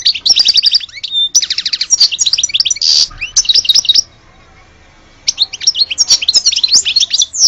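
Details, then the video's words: Algerian European goldfinch in full song, a rapid stream of tinkling trills and buzzy notes that stops for about a second, then resumes with lively twitters. "Le vrai chardoneret de Alge"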